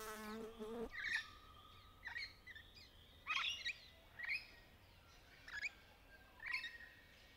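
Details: Rainbow lorikeets playing in trees during courtship give a run of short, shrill chirping squeaks about once a second, following a brief low buzzing hum at the start.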